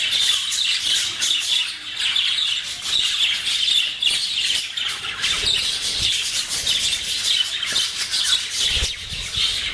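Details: English budgerigars playing, one female on her swing, chatter in a steady, busy stream of high chirps, squawks and warbles.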